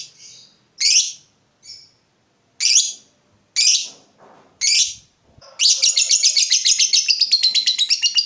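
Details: Lovebird calling to lure and tutor other lovebirds: several separate harsh high squawks, then a long, fast, unbroken ngekek chatter of rapid shrill notes carrying on to the end.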